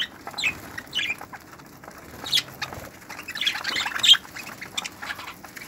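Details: Budgerigars in a breeding aviary, 2018: scattered high chirps and warbled squeaks from several birds, with bursts of busier chatter and soft wing sounds.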